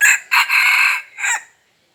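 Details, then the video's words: Red junglefowl crowing: one loud, close, harsh crow in three parts. A short opening burst is followed by a long sustained middle note and a brief falling final note, lasting about one and a half seconds before silence. "suab qaib qus qua zoo"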